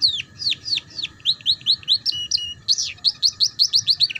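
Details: Young canaries learn the ngeriwik style from this song: descending whistled notes, then a fast, even series of short chirps about four per second, a brief rising slur, and more quick chirps.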